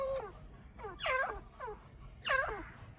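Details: Paired Chukar partridges call in bursts of bright, looping, harmonic chuk notes, about three clusters in three seconds, each rising then falling.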